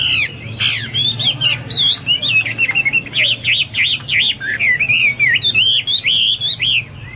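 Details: Hwamei in full 'gacor' song: a fast, rich run of looping whistled notes, each rising and falling, delivered almost without pause over a faint low hum.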